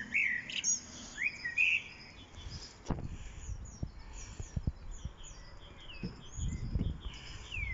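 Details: Common blackbird singing on 1 April 2021 at Lanfertsweg among daffodils, said to be a young bird, gives fluted rising whistled phrases, then faint high twittering, with low thumps and handling noise.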